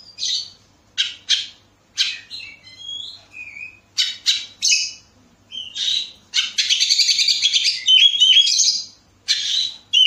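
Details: Oriental magpie-robin (kacer), Bekasi, used as a lure sound to trigger other birds' singing: bright whistled notes and harsh buzzy bursts, then a long rapid chattering run of dense scratchy notes before a final buzzy phrase.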